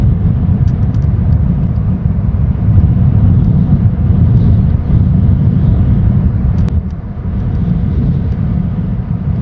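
Loud, steady low rumble of passing road traffic fills the recording, with only a few faint ticks above it and no animal voice.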